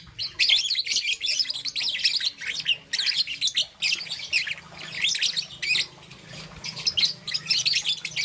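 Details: Young peach-faced lovebird with green and yellow feathers giving morning chirps: busy, harsh high tweets in long streams broken by short silences, a soft steady hum beneath.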